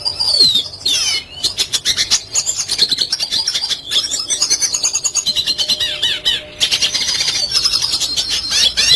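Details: Red siskin delivering vigorous classic song for bird tutoring: long unbroken stretches of high-pitched chatter, rapid clicking note trains, wavering whistles and buzzy rolls, with short pauses between bursts.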